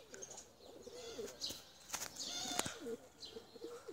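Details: Low, bubbling coos from tumbler pigeons, domestic flying birds, come in quick succession, broken by loud sharp snaps and wing flaps.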